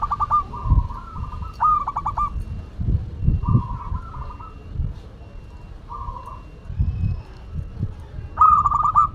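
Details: Local zebra dove from Madura cooing in scattered rolling phrases of stuttered notes, over frequent low thumps and handling noise, with a louder phrase at the end.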